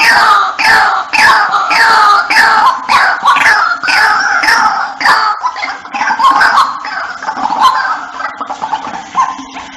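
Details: White-breasted waterhen call used as a lure to bring the birds in: a dense, rapid run of harsh, nasal, croaking notes, sweeping and overlapping, loud at first and growing more broken and scattered toward the end.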